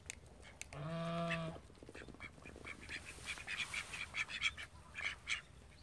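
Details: A call duck, one of thirteen kept at home, lets out a strong, buzzy, harmonic quack of under a second, then thin high peeps and light clicks continue in quick, uneven succession.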